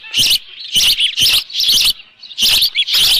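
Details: Osprey calling at the nest with a live fish, 24 June 2018 at 7:32 in the morning; six loud, piercing chirp bursts arrive roughly every half second, each strident and high-pitched.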